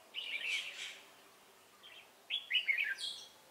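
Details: Red-whiskered bulbul song, recorded while trapping a wild Hòa Bình bird with a decoy on 18 November 2017: a slurred chirping phrase, a pause, then quick bright whistled notes rising and falling.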